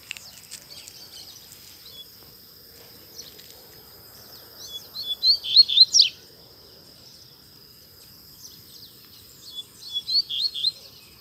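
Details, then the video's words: Rusty-collared seedeater singing freely in a town square in Brazil; two short bursts of quick high chirped notes, about five seconds apart, with a steady high hiss and quiet surroundings between phrases. "Coleiro Batendo Forte - Solto Na Praça!!!"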